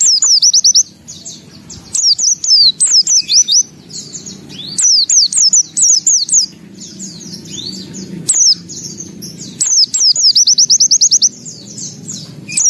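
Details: White-eye in energetic full song, delivering high, fast trilled runs of repeated downward-slurred notes mixed with varied chirps, in bursts separated by short gaps, over a faint low background hum.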